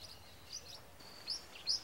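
Blue-winged parrotlet giving thin, high chirps in short bursts, a few notes about every half second, over faint background hiss.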